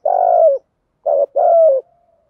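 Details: Spotted dove cooing in the Thổ style, cu gáy voice used to stir other doves: a long mellow hoot, short pause, then a clipped note and another drawn-out falling coo, on a silent background.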